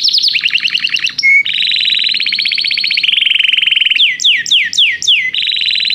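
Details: Canary in song training, singing to call another canary; a sequence of distinct tours: a rapid descending trill, a short pure whistle, long dense buzzy rolls, then four loud rising-falling swoops before another rolling trill.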